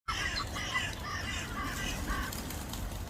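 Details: Thousands of pigeons take off in the UK in a steady, rushing rumble of many beating wings, with some thin, scattered chirps from other birds above it.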